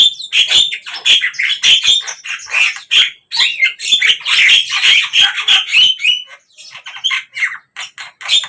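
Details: Javan myna (jalak kebo) song kept by a hobbyist, heard in morning, midday and evening sessions: dense run of scratchy chatter, squeaks and clear whistled notes, nearly continuous with a few short gaps.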